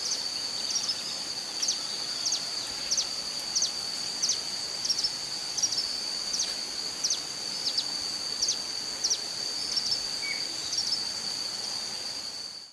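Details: Long-tailed tyrant (Colonia colonus) in Santa Bárbara, Minas Gerais, Brazil, calling with short, very high chirps, about one or two a second at an uneven pace, over a steady high insect drone.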